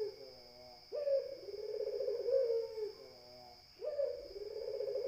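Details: Spotted dove giving drawn-out, low hollow coos that start with a sharp onset and slowly fade, two phrases heard, over a constant faint high-pitched hum.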